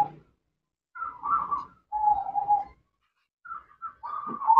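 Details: A female zebra dove calls to the male with a series of burry, rolling coos. Three trilled phrases are split by silent gaps, and the last one rises and breaks into short clipped notes.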